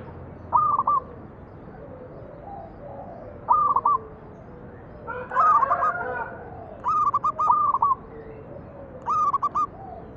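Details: Lure recording of a local zebra dove's manggung song: short bursts of clipped, rolling coos repeated every one to three seconds, one phrase with a brief muffled overlapping call.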